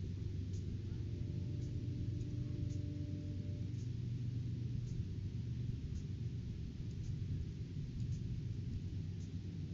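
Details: Steady low rumble and engine-like hum fill the recording, with faint tonal lines early on and no animal voice.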